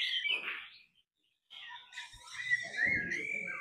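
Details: Song of a laughingthrush stirred by a female: a bright warbled burst, a brief silence, then dense, rich, full-toned warbling with whistled notes.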